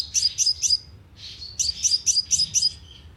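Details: Sunbird lure call from a loudspeaker used in bird trapping: three quick high chips, a short pause, then five more sharp, bright chips in rapid succession.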